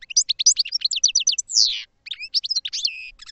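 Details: Goldfinch song, a lively run of high, rapid twitters and chirps broken by a long wheezy descending note, then more tinkling, jangling phrases.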